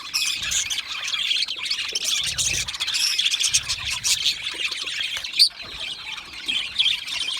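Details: Budgies in a colony, comfortable and content, produce a busy stream of chirps, squawks and warbles from several birds, with one sharp louder note midway and occasional low knocks.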